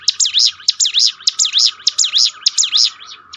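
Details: Bar-winged prinia song used to train and lift a bird's spirit: rapid, sharp, high V-shaped chirps in a fast regular series, about two per second, with a steady faint whine in the background.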